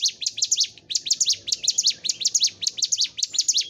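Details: Vigorous song of a bar-winged prinia (ciblek gunung), used as a training recording for caged birds: quick, piercing, rising-and-falling chirps in tight clusters, with faint low background rumble.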